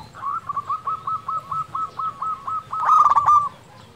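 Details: Local zebra dove singing persistently, a recording meant to spur silent doves into song: a run of about ten short, evenly spaced soft coos, ending in a louder, rolling, stuttering phrase.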